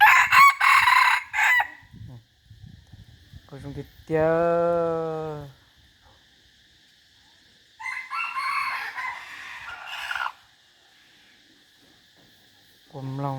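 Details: Decoy rooster noted for strong crowing. Harsh crows open and recur near the middle, with a drawn-out tonal call between them, scattered clucks and clicks, and a steady background hum.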